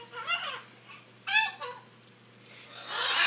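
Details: Noisy macaws giving descending nasal honks, goose-like, followed by a rising harsh squeal at the end, over a low electrical hum.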